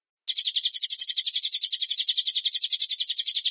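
A Small Minivet sings a fast, unbroken run of thin, high, sibilant notes, about four per second, with nothing else heard.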